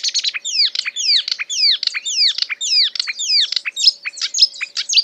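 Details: A marsh warbler copying other species in its song, here a rapid series of repeated downslurred whistles, about two each second, then scratchy clipped notes, all high-pitched and loud.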